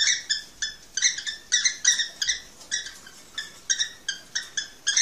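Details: Cockatiel calls played to prompt mating: short, clipped, bright chirps in a quick, uneven series, repeating roughly two or three times a second, with no other sounds.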